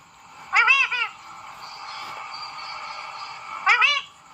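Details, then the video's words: Talking parrot uttering two short, shrill, speech-like phrases about three seconds apart, each made of bright harmonic syllables, with a faint steady hum between them. "बोलने वाला तोता । ए मिठ्ठू ।। cute talking parrot"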